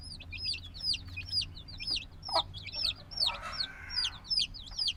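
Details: A brood of few-days-old black chicks, still dependent on the mother's warmth, cheeps repeatedly in high falling notes, with a short burst of rustling midway and low background hum.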